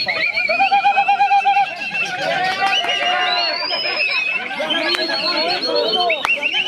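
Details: Greater green leafbird, described as strong and singing eight sessions a week, delivering a dense, continuous song of rich warbled whistles, quavering trills and sliding notes at several pitch levels, with scattered sharp clicks.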